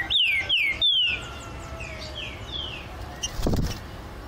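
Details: Green-winged saltator (Saltator similis) song, bird in a flight aviary: loud, clear whistled notes slurring steeply downward, three quick ones then fainter echoing repeats, ending with a dull knock.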